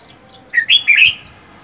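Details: Wild-caught red-whiskered bulbul, caged for four months and housed by itself; a single loud, liquid, three-note warble sweeping up and down, preceded by faint high twitters.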